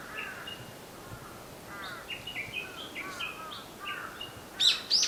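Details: Japanese bush warbler heard on 22 April 2020 near Zenshoji and Shofukuji temples, repeating short, bright notes in a steady series; other birds chirp briefly and sharp high calls break in near the end, over background hiss.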